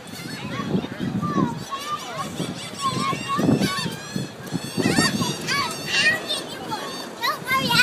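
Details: Gulls calling while people feed them: several birds give overlapping squealing, wavering cries that rise and fall, packed closely throughout, with human voices and steady background noise beneath.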